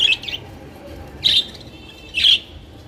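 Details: Three sharp, high chirps from captive budgerigars, spaced about a second apart, each a short bright burst against a faint low hum.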